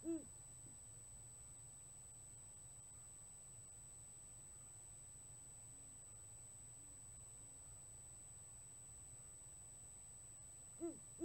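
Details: Male Great Horned Owl in February hooting at a female on the perch after she flies toward him; she also hoots and he hoots back: deep, soft hoots open and close, fainter hoots between, over low rumble and thin high whine.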